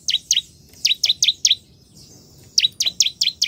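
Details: Bar-winged prinia in lively full song: bursts of two to five sharp, high descending chip notes, each dropping from very high to mid pitch, separated by short pauses.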